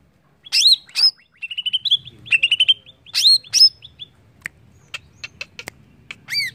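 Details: Greater green leafbird song for provoking other birds to sing: looping upswept whistles and a fast series of clear pips, followed by scattered dry clicks and a final rising note.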